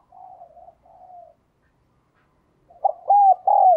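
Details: Decoy spotted dove cooing to call others: two soft, low, slightly falling coos, a pause of over a second, then a louder run of three strong coos with rising-then-falling shape.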